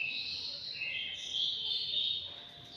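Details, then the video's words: Continuous high warbling from a five-month-old anggungan in an aviary, a steady stream of bright, sliding whistles without pause, slightly softer at the end. "BURUNG ANGGUNGAN USIA 5 BULAN"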